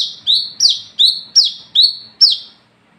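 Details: Olive-backed sunbird, known locally as wiceh, singing at night in the lively, clear 'gacor ngalas ngeplong' style used as a lure for others: six high, thin downslurred notes, each sweeping into a short buzzy tail, evenly spaced about every 0.4 seconds.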